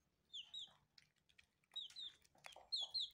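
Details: Several baby chicks eating, giving high, thin, clear peeps that slide up and down, in short clusters of two or three separated by brief pauses, with soft pecking and ticking sounds in between.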